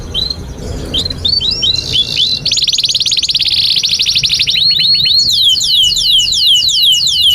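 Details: Canary singing a long tutor song for young or stalled canaries. Scattered sweeping chirps lead into a rapid, even trill, then a series of loud, repeated downslurred whistles.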